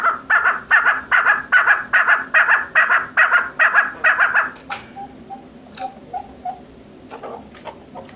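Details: Female chukar partridge giving a fast, steady run of loud, rasping chuk notes, about two or three per second for nearly five seconds, followed by softer, scattered clucks and a few clicks.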